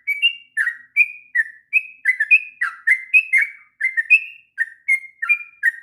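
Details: Clear whistled phrases of a sooty-headed bulbul singing at length for young birds to learn from; notes alternate between a higher steady whistle and a lower downslurred one, several per second, on a quiet background.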